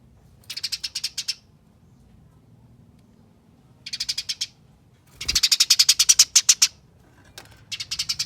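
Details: Eurasian tree sparrow fighting chatter, used as a lure to draw song from other sparrows: rapid scratchy chip bursts, a short run, another short run, then a long dense rattling volley and a final brief burst.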